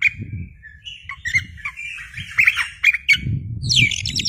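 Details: {'text': 'Kacer singing energetically with tail spread, a lure recording: mixed squawky and whistled notes with sharp clicks and a dense high chattering burst at the end, over intermittent low rumbling.'}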